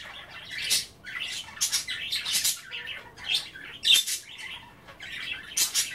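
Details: Pet budgerigars nibbling kale and water at bath time chatter indoors: harsh squawks and warbling squeaks in irregular bursts, one short clear whistle among them.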